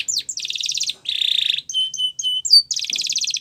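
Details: Training song of a Spanish Timbrado canary: rolling buzzy rattles, a low churring trill, widely spaced bell-like clicks, then another fast rattle.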